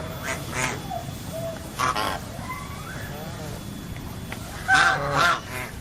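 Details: Geese, called angsa or soang in Indonesian, giving scattered nasal honks with a rough harmonic texture, one drawn-out wavering call midway and a loud pair of honks near the end, over steady background noise.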